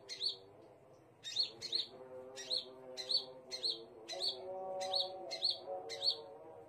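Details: High, thin chirped notes from a scarlet minivet. Roughly ten sharp notes are spaced unevenly after a short pause, with a soft, steady, low droning hum underneath.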